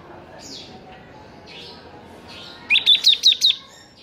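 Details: Lively Bar-winged prinia song for tutoring reluctant singers: after faint background calls, a short burst of five sharp high chirps evenly spaced over under a second.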